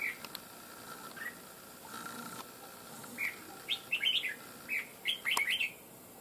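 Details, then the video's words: Red-whiskered bulbul caught wild for fighting sings scattered chirps, then a lively cluster of warbled, slurred notes near the end; a low steady hum runs underneath. "Bổi Cực Lì Sau Gần 2 Tháng 2 Ae Thay Nhau Bẫy.Đã Về Đội/Ché Đè/Bung Xoè/Cực Mau Mỏ Giọng To Chuông"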